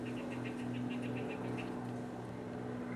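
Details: Mockingbird song from 2015, a fast even series of about ten short, bright, identical notes, then a pause, all set against a constant low droning hum.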